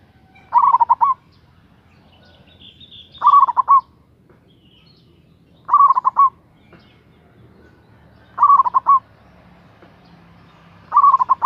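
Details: Big-voiced local zebra dove singing as a lure to draw a rival: five rolling, stuttering coo phrases spaced about 2.5 seconds apart, each a brisk burst of rapid notes, with a faint hum underneath.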